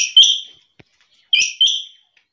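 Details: A female quail calls in the early morning, giving harsh, buzzy, high notes in two quick pairs about a second apart, each note sliding down slightly, with no other sounds.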